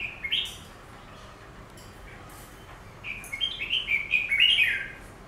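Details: Caged Chinese laughingthrush facing its reflection in a glass pane: a brief whistled note at the start, a pause, then a rising run of clear, varied whistled notes building louder over two seconds.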